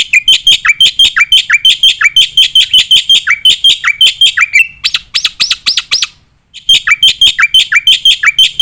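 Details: Black-winged myna singing in full voice with shooting fill notes, recorded as tutor material for competition birds: dense, evenly repeated bright chirps, roughly three per second, a short burst of harsher notes, a brief pause, then the chirping resumes.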